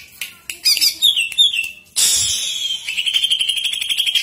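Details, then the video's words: Greater green leafbird singing as a lure to prompt other birds into song; rapid high chattering notes, then a long sustained whistled phrase with fast pulsing trills, with a brief low thump. "PANCINGAN CUCAK IJO AGAR RUTIN GACOR"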